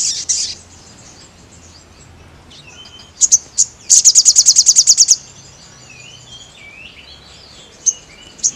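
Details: Crested jay in full active song, used as a training sound for other birds: scattered high chips, then a fast dry rattle of about a dozen sharp high pulses lasting just over a second, with faint distant bird notes afterward.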